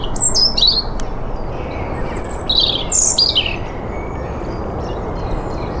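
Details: European robin singing in spring: high, thin warbled phrases, some sliding down and others held level, separated by short pauses, over a steady low background rumble.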